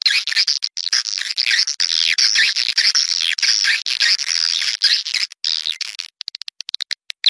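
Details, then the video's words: Swiftlet lure sound made in Malaysia for drawing birds to nest: dense, continuous high buzzy chattering, like several birds together, ending in a scatter of separate sharp clicks. "TIẾNG CHIM YẾN NGOÀI TRỜI 2020"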